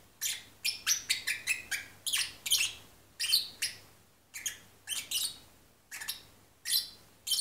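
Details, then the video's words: Lovebird parrot singing while half asleep: quick bursts of high, scratchy chirps, at first rapid and closely spaced, then slower and more irregular, against a low constant hum. "sleepy singing Lovebird Parrot / Agapornis Papagei singt im Halbschlaf"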